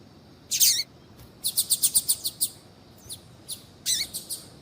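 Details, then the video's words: Double-collared seedeater female calls used to stimulate a male's singing. A loud downslurred high note opens, followed by a fast regular string of about seven crisp chirps and more scattered sweeping notes. "FÊMEA DE COLEIRO CHAMANDO PARA ESQUENTAR COLEIRO TUI TUI"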